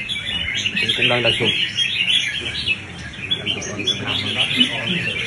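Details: Red-whiskered bulbul in competitive singing training, delivering bright, rapid warbled phrases, high and chirpy with quick rising and falling notes in a steady stream, over faint low background murmur and a brief low rumble near the start.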